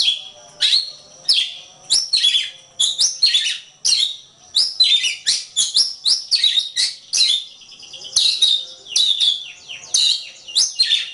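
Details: Oriental magpie-robin song, a recording meant for training other songbirds: loud, rich whistled and scratchy phrases in rapid bursts, each about half a second long, repeated continuously with brief gaps, on a clean, quiet background.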